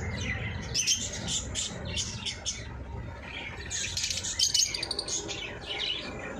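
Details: Several eye-ring lovebirds chattering with rapid, shrill, scratchy chirps in clustered bursts throughout, above a constant low background hum.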